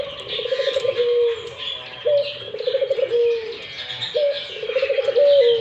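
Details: Repeated coos from a busily calling Barbary dove, each a pulsed rolling trill that merges into a sustained, gently dropping note, about every two seconds, over soft background chirps.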